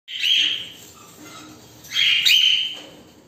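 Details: Cockatiels reacting to the camera give two loud, harsh, high-pitched screeching calls, one after the other.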